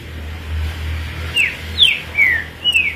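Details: A kept green-winged saltator singing on its own with no other birds singing nearby, giving four short downward-slurred whistles in quick succession over a low steady hum of traffic.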